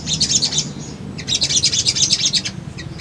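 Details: Sunbird singing on a lure track intended to make birds answer: a fast, high, tinkling chatter of tightly packed chirps, with a brief gap near the middle, over a low steady background hum.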